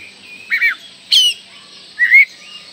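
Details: Oriental magpie-robin singing, used as a lure so young birds start singing sooner: three brief whistled phrases about three-quarters of a second apart, dipping and rising slurs, one with a bright high upper note, over steady background hiss.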